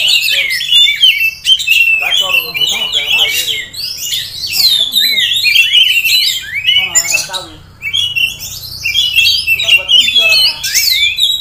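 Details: Long, loud outpouring from a caged Oriental magpie-robin in Kisaran, a prospective contest bird: dense harsh rasps, trills and sweeping whistles nearly without pause, dipping briefly before resuming.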